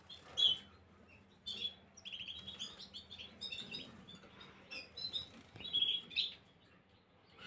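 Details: Softer Gloster canary singing from 9 January 2023, scattered high chirps and twittering phrases over a faint low hum, with a few brighter accented notes near the start and end.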